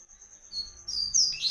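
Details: A brief burst of Tui Tui song from a double-collared seedeater (coleiro): a thin sustained note rises into loud, sharp whistled chirps.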